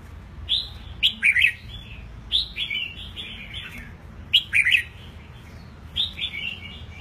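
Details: Eight-month-old caged red-whiskered bulbul, freshly moulted, delivering loud clear whistled phrases with sharp rising-and-falling notes, repeated about every two seconds, over faint low background hum.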